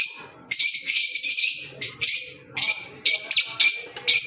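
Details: Sharp, piercing chirps from pet green Fischer's lovebirds come in quick bursts about every half second after a long scratchy opening phrase.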